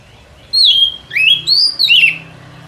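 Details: Forest trapping lure of a white-rumped shama: a few loud melodious whistles, one high note sliding down, then an upward swoop and an arched phrase ending in a falling slur.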